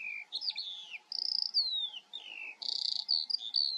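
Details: In Germany's Eifel a Eurasian skylark sings a varied stream of falling whistles, buzzy trills and sustained high notes with short breaks between phrases.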